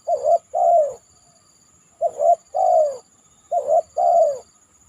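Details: Spotted dove on a banana trunk after a heavy downpour, repeating its three-part coo three times roughly every 1.7 seconds: a brief note, a rising doubled coo, then a longer descending coo; steady faint high tone in background.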